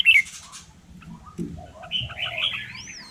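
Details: Hill myna from Vietnam copying human speech: an opening sharp squeak, brief low voice-like syllables, then a drawn-out nasal, talking-style phrase ending in a clear upward-then-falling whistle.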